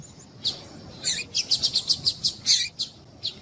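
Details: Female double-collared seedeater calling to excite a male: a rapid, regular series of about ten high, thin chirps, each short and bright, with a few scattered chirps before and after.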